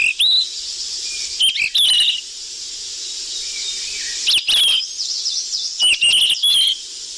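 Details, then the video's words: For luring sikatan emas flycatchers, a busy recording of short high whistles and rising slurs broken by harsh noisy bursts, arriving in three groups with hiss filling the pauses. "Suara pikat burung sikatan emas ribut"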